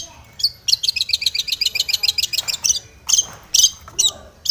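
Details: Long-tailed shrike singing aggressively as if seeking a rival, used as a lure to provoke other shrikes: a fast run of about fourteen bright chirps, then harsh scratchy bursts after a pause.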